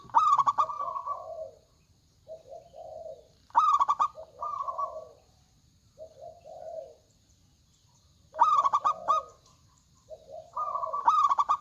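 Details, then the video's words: Local zebra dove, a loud-voiced bird in full song, recorded as a lure for other doves: phrases open with rapid staccato clicking notes, then run into lower rolling coos. Phrases recur every few seconds, with softer coo fragments between them. "PERKUTUT LOKAL GACOR Suara Besar"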